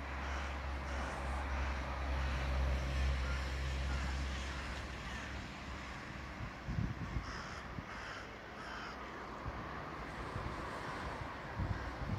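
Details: Carrion crows in Naumburg, Germany, give harsh, repeated caws over a steady low rumble of traffic or wind.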